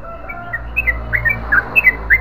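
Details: Yellow-vented bulbul in long continuous gacor ropel panjang song, here a short run of bright slurred whistled notes that grow louder toward the end, over faint low hum.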